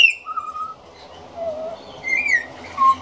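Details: Juvenile pied butcherbird practising song: a high whistle falling into a mellow mid-pitched note, a low slurred phrase, then a rising and falling whistle and a final lower note, with a steady low hum behind.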